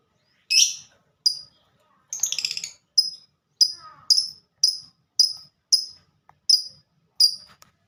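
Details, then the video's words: Ngetik (typing) lovebird song from a bird called a fighter: sharp, high, clipped ticks repeated about every half second, broken once by a short rattling chatter, in otherwise quiet surroundings. "Burung Lovebird Suara Ngetik Dan Sama² Fighter"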